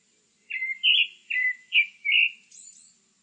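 A Grey-backed thrush sings five clear, fluty whistled notes in quick succession, then ends with a soft, high twittering flourish; a faint steady high hiss underlies it.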